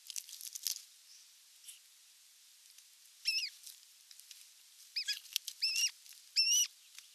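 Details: Osprey at the nest during the evening meal, 30 June 2022, live nest camera: early scratchy noises, then a handful of high whistled calls grouped toward the end, uneven in timing.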